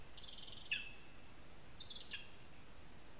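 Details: Lesser spotted eagle at its spruce nest in Zemgale, Latvia: two thin, high, drawn-out whining notes, each about a second long, that drop sharply at the end, set apart by a pause, against faint steady hiss.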